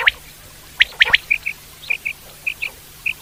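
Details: A wild common quail gives brief, bright whistled pips, sometimes doubled, spaced about half a second apart. A few sharper clicking notes open the recording over a quiet background.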